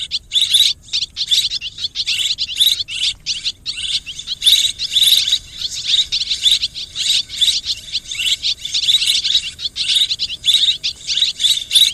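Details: Mixed swiftlet calling: continuous high, scratchy twitters and clicks in quick bursts, some with thin whistled notes, pulsing on and off for twelve seconds with no background sounds.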